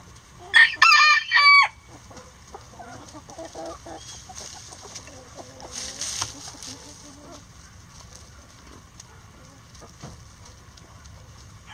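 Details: Rooster crowing in a coop while hens eat eggs. A loud, harmonic call in three quick joined segments opens the recording, followed by softer low clucks, pecking and rustling.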